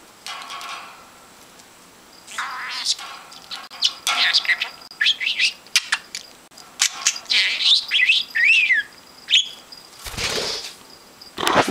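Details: A male pet budgerigar, angry because someone touches his toys, chatters and screams in bursts of quick, scratchy chirps and high warbled notes, and also bites.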